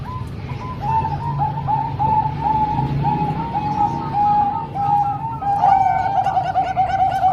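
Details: Zebra doves, a combination of three Bangkok-type birds and one local bird, sung to train young doves: soft rolling coos repeated continuously in overlapping phrases, with faint higher chirps near the end.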